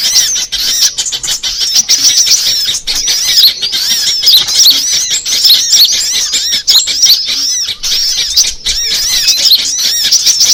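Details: Trapping lure of assorted sunbird species: continuous high-pitched, rapid chirping and squeaky twitters layered over one another, with brief dips in loudness every few seconds.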